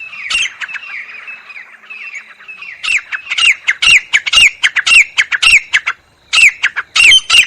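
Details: Jungle teetar, a grey francolin, gives loud grating calls in quick repeated bursts, each note sliding downward, with a short pause near the end before the rhythmic series resumes.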